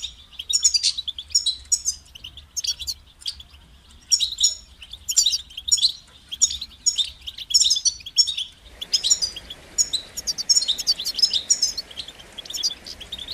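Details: European goldfinch motivating song: regular bursts of high twittering and chirping phrases with pauses between them; after about nine seconds a steady hiss of background noise sets in beneath the continuing song.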